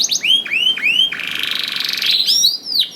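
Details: Canary song, played to get other canaries singing, with repeated swooping rising whistles about every quarter second, a dense buzzy trill in the middle, and more high slurred notes at the end.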